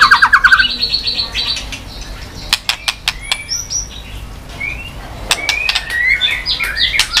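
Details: White-rumped shama, stimulated to get fired up and sing, flicking its tail on the perch floor: a fast stuttering trill at the start, then scattered sharp clicks and short whistled slurs, with denser rising notes near the end.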